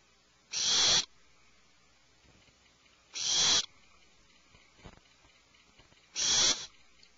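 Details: Barn owl screeching at 04:20 at night, Pacific time; three harsh, hissing screeches, each about half a second long, come roughly every three seconds against a quiet background.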